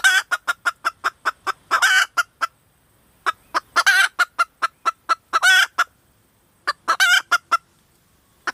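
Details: Female red junglefowl calling: bursts of short, sharp clucks, several per second, broken by harsher drawn-out squawking notes, with brief silent gaps between bouts.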